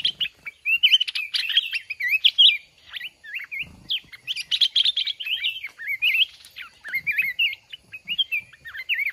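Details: Red-whiskered bulbul of the mountain form in a trapping fight contest, giving a long run of lively chirping, looping whistled notes in dense bursts with brief gaps, some overlapping voices.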